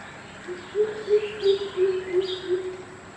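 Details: Greater coucal at Birati, Kolkata, March 2017, giving a low booming series of roughly seven even hoots, steadily paced, over quiet background with a few thin distant bird notes.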